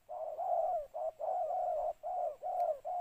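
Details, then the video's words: Spotted dove cooing: soft, low, hollow notes run together into drawn-out phrases, about six coo notes in three seconds, with nothing else audible. "เสียงนกเขาใหญ่ ต่อ ขันเรียก"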